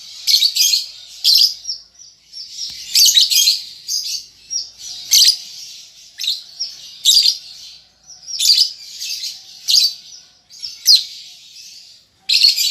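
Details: Young lovebird practicing its chatter: repeated short bursts of harsh shrill chips and buzzy squeaks, roughly every second, steady and scratchy.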